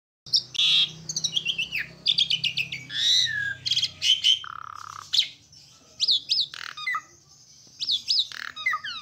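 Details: Asian pied starling in full, active song: a rapid jumble of bright whistled notes, sharp chattering bursts and harsh squawky phrases, with sliding whistles near the end and short pauses between phrases.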